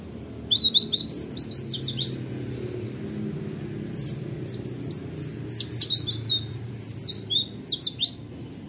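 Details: Roll tembak song from a kept Oriental white-eye: two long rapid runs of high, piercing chirps and flicked notes, with a short lull between them over a faint hum.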